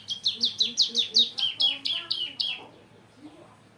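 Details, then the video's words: Bar-winged prinia from a breeding program, not yet at full form, delivering a rapid series of loud, sharp, downslurred chirps about five per second, then trailing off into quieter twitters. "masih kurang mempeng #ciblek"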